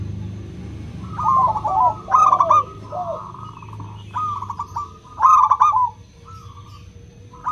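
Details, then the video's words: Zebra dove of local stock with a clear crystal voice, used to coax silent doves into singing: rippling trilled coos in short bursts with sustained buzzy tones between, set against faint low background hum. "Pancingan PERKUTUT LOKAL suara KRISTAL, untuk memancing perkutut susah bunyi"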